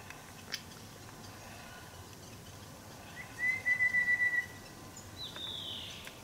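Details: Grey-cheeked fulvetta busy weaving through a bush on Dashue Mountain, Taichung, Taiwan, 17 December: a quick burst of about seven thin, even-pitched whistled notes, then a faint high falling note, over background hiss.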